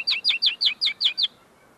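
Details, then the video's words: Very tame common linnet singing close by, its song not yet fully polished: seven identical high, downslurred chirps repeated evenly about every fifth of a second. "pardillo cantando delante de mi"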